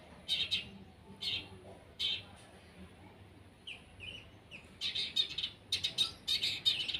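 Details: Long-tailed shrike (cendet) out for sunning, giving scattered high chips with long pauses, then a closer cluster of quick sharp notes near the end; quiet background.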